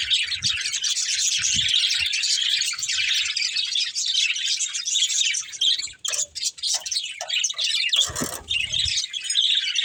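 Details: Playing budgerigars pour out constant high chirps and warbles. Bursts of clattering noise around the middle and a loud broadband rustle near the end break in.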